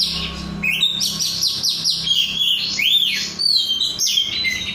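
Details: Oriental magpie-robin (kacer), a 'rudal Korea' bird kept as a cage bird and described as gacor, singing steadily: high, rapid, varied phrases of sweeping whistles and chirps, with a loud rising-falling slur near the end and a faint low hum.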